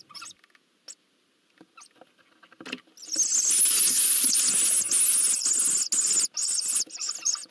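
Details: Eurasian hoopoe chicks being fed at the nest, Nagyberény, Hungary, 12 June 2024, break into a dense, high, hissing begging squeal lasting about four seconds, after a few soft clicks and rustles.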